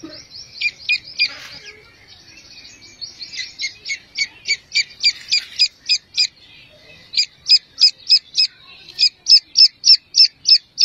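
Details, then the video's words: Grey francolin chicks, described as calling their mother, give high, thin peeping notes, about three a second in steady runs with short breaks. "Grey Francolin Chicks Voice | Teetar Ke Bacche ki Awaaz"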